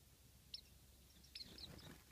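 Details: A warbling white-eye, eating a mandarin orange, gives thin, high chirps: a single note, then a quick cluster of three or four, over a low background rumble.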